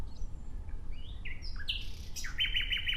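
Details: Nightingale song with a string of short rising and falling whistles stepping through different pitches, ending in a rapid, evenly repeated trill.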